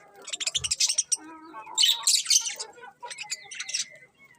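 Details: Several colourful budgerigars chatter in fast, scratchy high chirps, quick repeated notes running together, then a thin steady whistle near the end.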